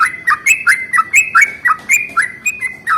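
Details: Bubbly warbled phrases from a yellow-vented bulbul singing in the morning as a lure for other bulbuls, each note bending down then up, repeated quickly for three seconds.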